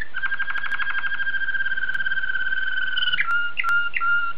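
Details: Belgian Waterslager canary singing a long, even rolling tour of low, pure, harmonic tones that then breaks into quick bubbling, water-like notes with short upward and downward slides.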